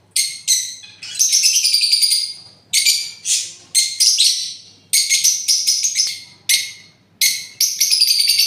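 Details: Parrot giving a rapid series of harsh, raspy screeches, some clipped and some drawn out, with brief pauses between bursts.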